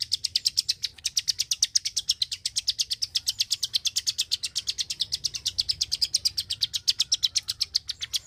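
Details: Klik-klik bird singing very actively from Indonesia: a long unbroken run of sharp, high clicks, about seven per second, steady for over eight seconds with only slight variation in loudness.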